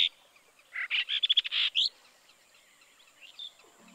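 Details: Recorded in Kaohsiung City on 16 June 2020, a Brahminy starling gives a dense run of harsh, buzzy notes and rapid clicking pulses, capped by a rising whistle, followed by faint distant twitters and a low hum near the end.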